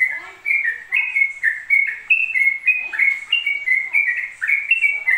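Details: Yellow-vented bulbul in rapid ropel-style singing, delivered nonstop: a bubbly chain of short whistled notes that step up and down in pitch, roughly three to four notes per second, with no breaks.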